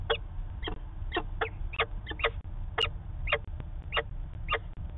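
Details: Peregrine falcons calling back and forth at Manchester, New Hampshire, on 19 September 2018: short sharp chipping notes repeated roughly every half second, spaced irregularly, over a constant low hum.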